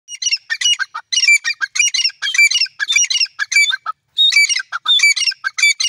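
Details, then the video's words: Grey francolin calling: loud, harsh, ringing notes with bright overtones, run together in dense repeated bursts of several syllables, with one short pause midway and no other sounds. "gry francolin bird voice"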